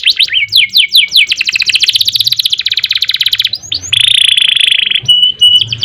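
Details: Energetic canary in a long ngerek, ngerol, nembak song: quick downslurred whistles run into a fast, even trill of rapid notes, followed by a loud buzzy sustained phrase and high, clear repeated notes.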